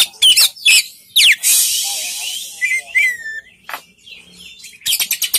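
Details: Exotic magpie robin in full song: loud, varied whistles, sharp upslurred and downslurred notes and scratchy bursts in quick succession, with a brief pause midway and a fast chattering run at the end.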